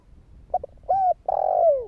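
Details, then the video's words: Spotted dove calling in the kích bổi style to prompt other doves to call: two quick low coo notes, a smooth level coo, then a long rough purring coo that slides downward at the end. "Chim cu gáy Thúc kích bổi , Tiếng cu gáy Thúc hay ,tiếng chim cu gáy kích bổi"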